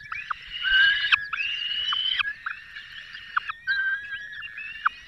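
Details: Peregrine falcon nest in Poland's Barycz Valley, May 2022, male delivering a small bird while the female feeds young; drawn-out creaking wails in stacked harmonics, several long notes broken by short gaps.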